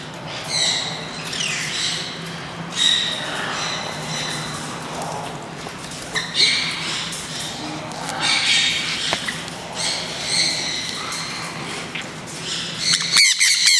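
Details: Captive green-cheeked parakeets at a bird park in Kakegawa, Japan, on their first release into a free-flight area. Rough, grating squawks repeat in rapid clusters, with people talking and a steady hum in the background.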